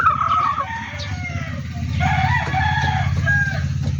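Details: Chickens on a backyard poultry farm crowing, with several overlapping, fairly distant hoarse crows and calls against a steady low engine-like hum.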